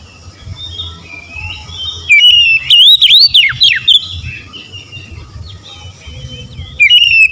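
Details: Oriental magpie-robin singing konslet style, unloading its isian repertoire: a loud two-second burst of quick, swooping, up-and-down whistles, then a quieter stretch of distant chirps, then a brief loud phrase returns at the end.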